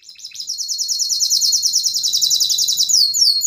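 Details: Yellow canary singing, a training song: a rapid, even high trill of buzzy repeated notes held for several seconds, with a few sweeping notes near the end.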